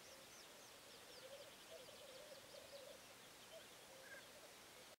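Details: Black grouse heard as a faint, continuous low bubbling coo, with high, looping whistles from other birds above it.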